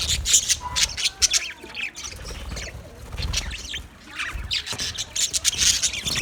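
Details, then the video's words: Several budgies keep up a harsh, high-pitched chatter of rasping chirps in waves, with short quieter gaps between. "Green Budgie sound sound of Budgie birds"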